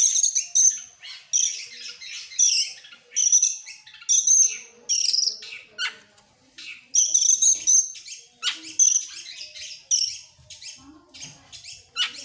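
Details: Oriental magpie-robin singing excitedly while opening its tail: loud, varied bursts of high whistled and buzzy phrases, some with sustained tones, given in quick series about every half second to a second, with short pauses between.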